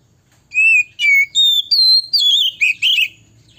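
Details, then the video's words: Oriental magpie-robin singing in a long-phrase style meant to make other males agitated and aggressive: clear whistled notes, some falling and some rising, repeated in a steady series, ending in quick warbling twists, over a faint low hum. "Kacer NGPOLONG gacor SUARA BIKIN KACER LAIN cepat PANAS dan EMOSI GILA"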